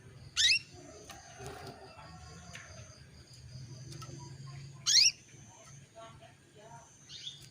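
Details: Female canary used as a lure, calling the male to bring him into breeding condition: two loud, brief rising chirps about four and a half seconds apart, with soft chatter and low hum between.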